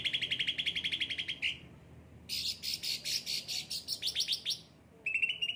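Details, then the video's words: Caged cucak ranting in lively song: a quick run of repeated notes, then a series of harsh buzzy chirps, a brief pause, and another trill. "gacor cucak ranting"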